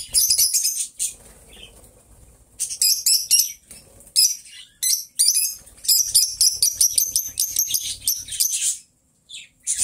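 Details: Two pet lovebirds, companions kept together, singing and talking: bursts of very high, rapid, buzzy chattering and squeaky chirps in uneven runs with short silences, plus faint wing or cage rustles.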